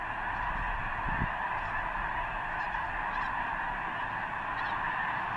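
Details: Huge flock of snow geese gathered near the eastern end of Potholes Reservoir, likely before migrating north to arctic breeding grounds: a dense, unbroken din of countless overlapping honks and calls, with a low rumble underneath.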